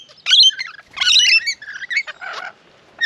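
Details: Rainbow lorikeets gathered in numbers at a backyard bird bath in Australia; loud grating squawks and metallic chatter in quick bursts, then a rasping buzzy note before a brief pause.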